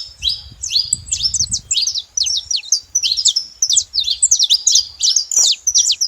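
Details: Saffron finches make a racket at a feeder: a busy, continuous series of high, sharp chirps and downswept notes, with low rustling early on.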